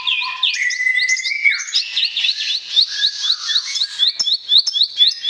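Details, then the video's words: Bar-winged prinia song, a lure for silent or sluggish birds: a short low whistle, a long high slide, then quick repeated high chirps, at first rapid and later in uneven bursts. "BERBAGAI ISIAN KICAUAN CIBLEK, PANCINGAN AMPUH UNTUK SEGALA JENIS BURUNG BISU, MACET ,LELET"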